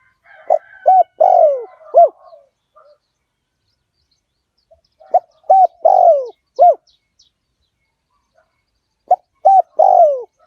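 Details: Decoy song of a spotted dove, fierce 'Liu Tan' strain, used to attract wild doves. Three rhythmic four-part coo phrases, repeated roughly every four seconds, each with a long falling third note. The first phrase carries faint extra chirps.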